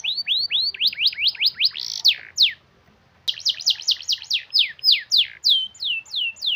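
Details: Canary in vigorous, long-rolling song offered as a lure for reluctant singers: quick rising-falling whistled sweeps in fast runs, a short silence, then another burst of rapid sweeps slowing into spaced descending notes.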